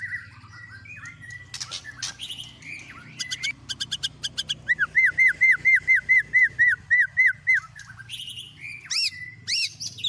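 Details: White-rumped shama song loaded with imitations of speed cililin, canary and lovebird; scattered clicks lead to a regular run of about a dozen identical arched whistled notes, then higher ringing whistles.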